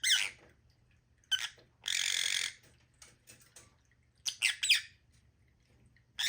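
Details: Lovebirds calling in a small room: harsh, buzzy squawks, one long grating burst near two seconds, then a cluster of sharp chirps, with quiet gaps and a faint low hum beneath.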